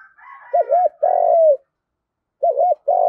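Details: Spotted dove giving its fighting coo in the field-style voice, used to lure wild doves: two quick looped notes then a long falling coo, repeated twice with silence between; fainter higher tones at the start.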